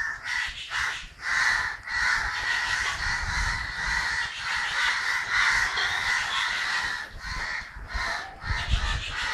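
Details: Many crows caw together in Kerala on 9 December 2012, a rasping, relentless chorus of rough calls repeated irregularly, roughly every half second, with faint low thumps beneath.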